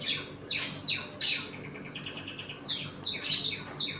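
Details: Home-colony budgerigars chatter steadily: quick falling chirps, warbled notes and brief squawks follow each other several times a second, many birds overlapping while they eat and play.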